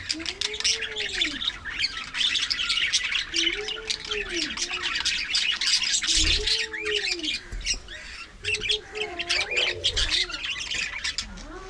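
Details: Pet budgerigars in a colony aviary keep up lively overlapping chatter of high chirps and scratchy warbles. Low, hooting arched tones repeat every couple of seconds beneath, with occasional soft thumps.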